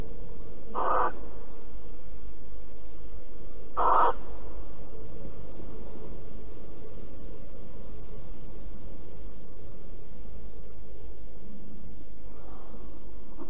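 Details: Barn owl in Alphen on September 5, 2019 at 09:46, during cuddling, gives two short, harsh, hissing calls about three seconds apart, then a fainter one near the end, over a steady low rumble.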